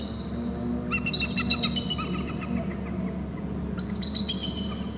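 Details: Two bald eagles calling at a Hornby Island nest territory after a second eagle flies in to the babysitting tree: two bursts of rapid, high, piping chatter, each lasting about a second, over continuous low rumbling background noise.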